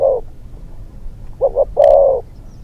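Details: Young spotted dove decoy used for hunting, on its second training outing, uttering a brief coo, then a quick two-note coo and a longer, steady hooted note, in fairly quiet surroundings.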